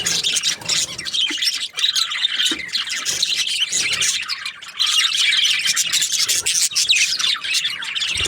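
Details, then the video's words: Budgerigars chirping happily as a flock, a steady unbroken wall of high twitters, trills and scratchy warbled notes, many birds overlapping throughout. "Happy budgies chirping sounds"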